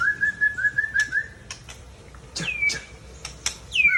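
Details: Mature male white-rumped shama from Tangse, Aceh: a rapid series of short repeated whistled notes, then sharp clicks and a few long, smoothly sliding whistles.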